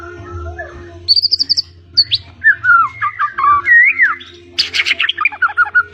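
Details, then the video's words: Blorok White-rumped shama in full, vigorous song with fills: a quick string of high repeated notes, a sharp rising slur, flowing whistled phrases, then a harsh, buzzy chattering burst at the end over a low hum. "CEK SOUND-MURAI BATU BLOROK GACOR NGECES ISIAN"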